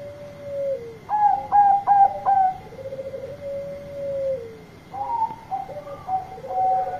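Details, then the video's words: Bangkok zebra dove calling companions in loud, active song: a low coo, a burst of four sharp staccato coos, a long rolling purr, then another run of clipped, bouncing coo notes. "Perkutut Bangkok Gacor Suara Keras Panggil Teman"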